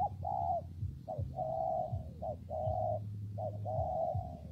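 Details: Spotted dove cooing in rainy, windy weather: low, hollow coo phrases, each a short note followed by a long drawn-out coo, repeated steadily, over a constant deep hum.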